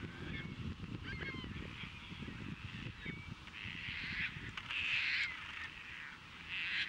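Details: Courting Caspian terns at Montrose Beach, Chicago, April 22, 2024, where birds catch fish and offer them to prospective mates; several raspy, grating screeches, the loudest near the end, rise over a steady low background rumble.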